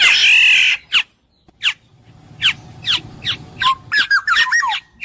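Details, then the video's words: Black-naped oriole song: a loud harsh nasal squawk, then a series of sharp descending chips and a short run of fluid looping whistles at the end. "suara burung kepodang emas jernih"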